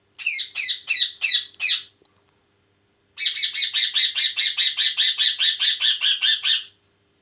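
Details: Indian ringneck parakeet, a pet bird indoors, giving harsh, buzzy squawks: five quick calls, a pause of about a second, then a long run of about fifteen evenly repeated raspy notes.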